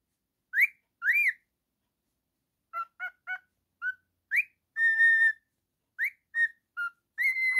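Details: A male cockatiel kept as a pet sings and whistles. Two sharp rising upslurs, then a cluster of short clipped notes, a long level whistle and more rising and flat notes, with quiet gaps between them.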